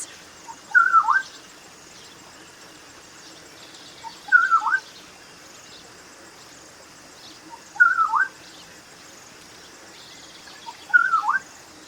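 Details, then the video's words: Black-winged Oriole (Oriolus nigripennis), African species, giving short, liquid whistled phrases that rise then fall, repeated about every three and a half seconds over a faint insect hum. "Black-winged Oriole (Oriolus nigripennis)"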